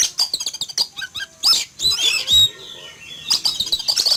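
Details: Morning in a yard: a caged Oriental magpie-robin, startled on spotting a flying eagle, gives staccato clicking notes, then loud grating rasps mixed with high thin whistles, ending in a fresh burst of chatter.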